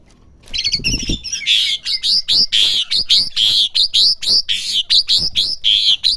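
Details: Juvenile Asian pied starling practising song: after a low thump, a loud, fast string of buzzy, chattering bursts with bright whistled overtones, repeated almost without pause.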